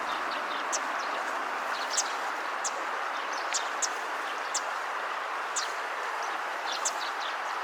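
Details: Eurasian tree sparrow on a riverbank calling in the evening setting sun: short, sharp high chirps about once a second over a loud, steady rush of flowing water.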